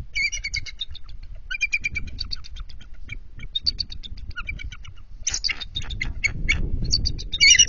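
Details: Adult bald eagles on high alert at an NCTC nest during a nest switch shortly after midnight, 21 February 2023; long runs of fast, thin, squeaky piping notes in several series, over low rumbling nest noise.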